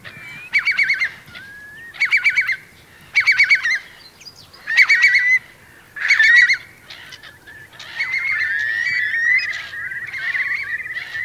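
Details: Eurasian curlews, part of a flock of about 3000 sheltering in wet meadows of Marquenterre, Bay of Somme, France, during a high-coefficient high tide on 7 October 2021: rapid pulsed bubbling bursts repeated about every 1.3 seconds, then overlapping drawn-out whistles.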